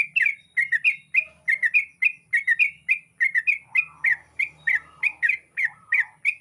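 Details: At dawn, a yellow-vented bulbul kept on dried rice sings a steady string of short, bright chirps repeated roughly every half second. Soft lower warbling joins midway, over a faint low hum.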